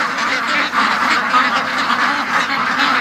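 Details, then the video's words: Penned domestic duck flock calling constantly as they wait to be released late in the morning; a thick wall of harsh overlapping quacks with no pauses, steady in loudness throughout. "See, they all were at the other end of the pen because it's been like an hour and 40 minutes of non-stop quacking."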